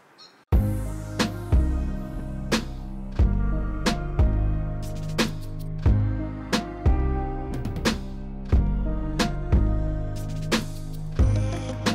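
Music with steady low bass and regular percussive beats fills the recording, and no animal calls can be made out.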